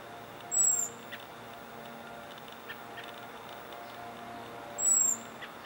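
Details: Perched American robin repeating its aerial predator alarm, Guerneville, Sonoma County, California, April 22, 2020, probably reacting to a common raven: two brief, very high, thin descending whistles about four seconds apart over faint background hiss and clicks.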